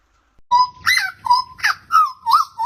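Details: Song of a pied butcherbird made of steady whistled notes alternating with rougher, burry upward flicks, repeated about every half second. Some notes slur upward at the end, and faint low rumble sits underneath.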